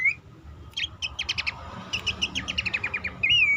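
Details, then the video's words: Bush warbler calling as a lure to coax stressed, stalled or quiet caged birds into singing, best at dawn or night; a short rising whistle, then quick runs of high ticking notes and a closing wavering whistle. "pelanduk semak ngecall pancingan ampuh burung bahan,macet,stress,susah bunyi agar cepat ngeplong"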